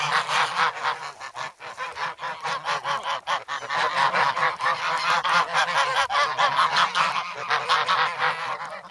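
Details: Grown goslings, still noisy and pecking hard for bread, in the snow at Sloterpark, Amsterdam, on 3 February, filmed on a Sanyo-SH1. Fast rhythmic honks, over two per second, run on with brief dips in loudness.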